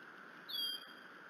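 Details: Nesting bald eagle at Decorah on a snowy early morning, 16 April 2018, the mother vocalizing before feeding her chicks: one clear, thin, high whistle lasting about a quarter second with a slight downward slide, over a constant low hum.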